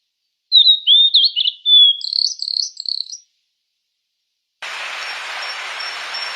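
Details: High, thin song of a fork-tailed sunbird, made of twisting whistled slurs and then buzzy clipped notes over about two and a half seconds. After a pause comes steady hiss, with faint repeated high notes inside it.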